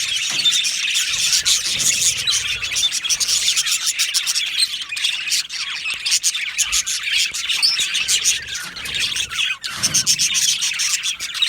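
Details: Australian budgie colony in an aviary, many birds twittering and chirping at once in a busy high-pitched chorus of rapid tweets and squawks, steady throughout.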